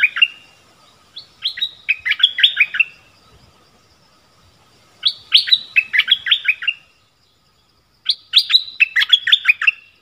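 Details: Wild streak-eared bulbul, recorded 25 January 2021 during a decoy-bird trapping session, gives bright, bubbling phrases of quick chirpy notes, each about two seconds long, repeated three times with short pauses.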